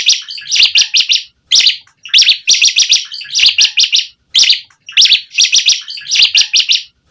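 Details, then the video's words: Asian pied starling in full, variation-rich song meant to lure other starlings into singing: dense, loud rasping chatter in rapid clustered bursts, broken by short pauses about every two seconds. "Jalak Suren Gacor Full Isian VARIASI Cocok Buat Pancingan Suara Burung Jalak Agar Gacor Isian Mewah"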